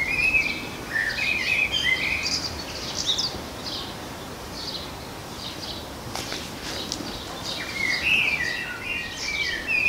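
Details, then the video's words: Common blackbird singing in a garden: mellow warbled phrases with higher twittering notes, alongside other birds chirping and a brief rustle midway. "Blackbird Song"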